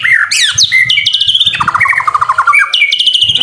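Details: White-rumped shama (murai batu) in full, vigorous song for a master-training recording: a rapid, unbroken run of sharp upslurred whistles, buzzy rattles, and chattering descending note strings, with many varied phrases packed together.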